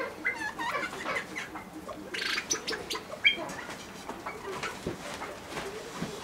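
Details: Reeves's pheasant at the "Tibet" pheasant breeding farm gives short, squeaky clucks and chirps in quick, irregular bursts, with rustling and faint background bird calls.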